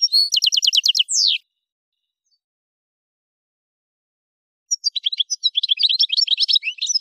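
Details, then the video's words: Algerian goldfinch (Carduelis carduelis parva) from the Kef El Hamam area of Souk Ahras, Algeria, sings two bursts: a fast run of high, liquid twittering notes ending in a downslurred trill, then after a pause a longer tinkling phrase. "تسجيلة روعة"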